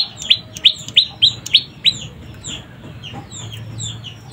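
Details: Juvenile prenjak lumut (moss prinia) giving six loud, sharp, falling chirps at a quick even pace, followed by fainter high twitters.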